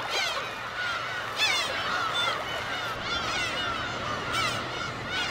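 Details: In spring, a dense breeding colony of black-tailed gulls on Gyeokryeolbiyeoldo, a remote West Sea island 55 km off Taean, Korea, gives harsh, mewing, wavering cries that overlap continuously, with louder bursts rising above the din.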